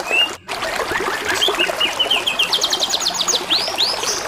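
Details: Canary singing over constant trickling, gurgling water: high, rapid chirps and short whistled slurs, then a run of quick repeated notes and a couple of rising-falling swoops near the end.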